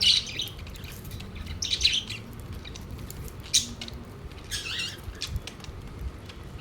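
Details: Pet budgerigars gathered around their food plate give short scratchy chirps in scattered bursts, a few close together then pauses of about a second or more, over a steady low hum and light clicking.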